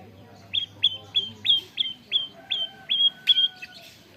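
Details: Canary-tutored white-rumped shama, a caged murai batu, giving a run of evenly spaced short sharp chipping notes, roughly three per second, with a faint steady tone behind.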